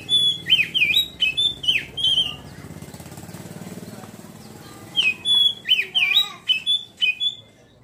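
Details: Fast ngeriwik phrases from an Oriental magpie-robin: repeated sharp whistles dipping and rising about twice per second, broken by a stretch of low rumbling background before another whistled run.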